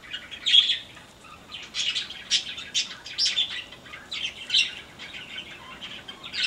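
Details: Aviary-kept yellow-crowned parakeets utter bright, sharp chirps and scratchy squawks in short clusters separated by brief gaps.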